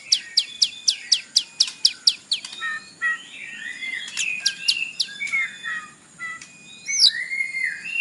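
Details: Captive-provoking morning song of a white-rumped shama in isian style: opens with a regular run of sharp high notes about three per second, followed by warbled slurred whistles and a rising upslurred whistle near the end.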